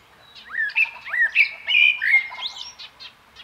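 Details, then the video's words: Common blackbird singing a continuous run of fluted, slurred whistles, each note sliding up then down, ending in a few thin high squeaks. "Kos / Common blackbird / Turdus merula"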